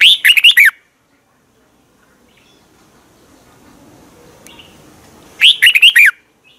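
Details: Red-whiskered bulbul singing in Thailand, used for training or to excite other birds: a loud, jaunty phrase of five quick whistled notes, then quiet, then the same phrase repeated nearly five seconds later.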